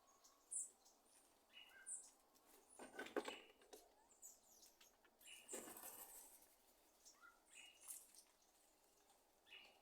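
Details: Thrush (sabiá) making a popcorn-popping noise: scattered sharp broadband pops, loudest near three and five and a half seconds, among faint high ticks over a quiet background.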